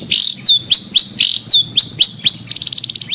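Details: Long-tailed shrike lure song for a bird that has stopped singing: repeated downslurred whistled notes about four per second, then a quick run of short ticking chips at the end; low background hum.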